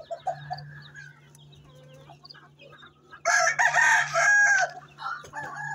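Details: Asil Rampuri rooster kept on a farm in Chihuahua, Mexico, crowing once: a loud, strained, harmonic cock-a-doodle-doo lasting over a second, preceded by quieter clucks and chatter and followed by further calling, with a constant low hum behind.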